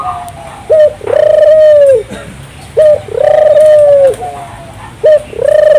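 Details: Vigorous turtle dove song to prompt local doves to sing: a short coo and a long steady coo repeated about every two seconds, clean and dominant, with faint background hiss.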